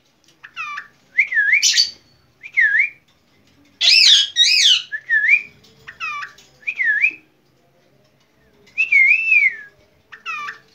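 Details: A hand-tame red-vented bulbul whistling: short, rich whistled phrases that swoop up and down, in bursts every second or two with brief pauses between.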